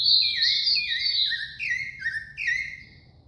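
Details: Thrush (sabiá) singing: a run of clear, slurred whistled phrases, each sliding downward from high to mid pitch. About five phrases follow one another closely over three seconds, fading toward the end over a faint low background hum.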